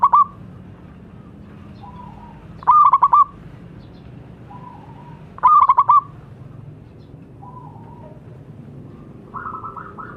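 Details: Singing local zebra dove meant to restart silent birds: two tight bursts of rapid mellow coos several seconds apart, separated by faint, soft cooing phrases.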